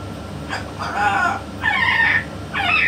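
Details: A yellow-naped amazon parrot talking with a parrot expert gives three drawn-out, harmonic, voice-like utterances in quick succession against a low hum.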